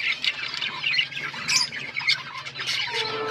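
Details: Budgerigar chatter: harsh squawks and quick chirps over a low steady hum, ending with a drawn-out whistled note.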